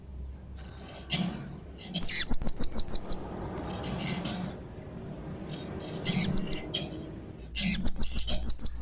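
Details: Blue-crowned hanging parrot in 'main singa' mode giving strange, fierce sounds: piercing high shrill notes spaced a second or two apart, alternating with rapid stuttering bursts of six to eight sharp chips, over a low background rumble.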